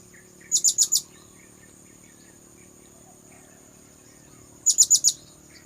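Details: Sharp, very high four-note bursts from a blue-crowned hanging parrot, used for luring birds, with about four seconds of near silence between the two runs.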